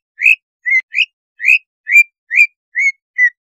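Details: Greater green leafbird lure song meant to raise breeding drive and make the bird aggressive; eight clear whistled, slightly rising notes, each about a quarter second, repeated roughly every half second with short silent gaps.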